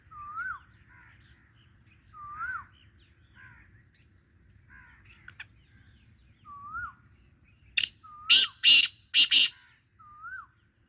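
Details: Black francolin giving its grating call near the end: a sharp note followed by three hoarse buzzy rasps in quick succession. A soft slurred whistle repeats about every two seconds throughout.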